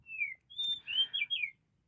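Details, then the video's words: Oriental magpie-robin (kacer) phrase: a descending whistle, then a clear high note and a few slurred, falling whistles, quiet against a faint low background. "AGAR KACERMU KONSLET | The Oriental Magpie Robin"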